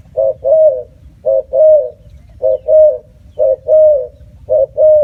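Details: Low mellow cooing of a spotted dove, a brief coo then a longer sustained one, the pair repeated five times at an even, unhurried pace of roughly one per second; quiet background hum.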